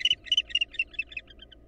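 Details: Barn owl confrontation at a nest, an intruding female attacking nestlings before the father returns with prey and attacks her. A short run of raspy chitters fades and slows, each note weaker than the last.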